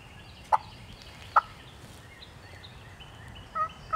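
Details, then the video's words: Two abrupt, well-spaced clucks, then a short double call near the end, from a wild turkey hen alone in the Georgia turkey woods; faint bird notes and quiet ambient hiss in between. "Hear that old hen yelping and cutting and clucking like that."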